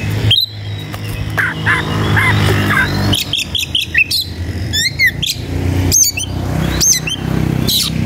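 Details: Oriental magpie-robin (kacer) in an excited state, seeking an opponent: scratchy chatter and short whistles, then bright looping whistled notes and sharp upswept calls, over continuous low droning background noise.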